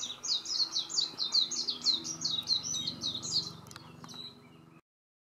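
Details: Japanese white-eye, locally meijiro, singing among nectar-rich cherry blossoms on Shioji Mountain, Japan: a loud, fast, high-pitched warbling run of tumbling, slurred whistles for about four seconds, fading out at the end.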